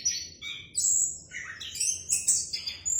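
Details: Orange-headed thrush singing in a clear voice: a fast run of high whistled phrases that jump between pitches, with sliding notes and short bright flourishes.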